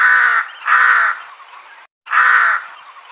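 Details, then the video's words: A crow call used by hunters to attract crows: three harsh, hoarse caws of about half a second each, two close together, then a third after a short pause, with no other sounds standing out. "UWAK BLACK CROW BIRD / RAVEN CALL SOUND"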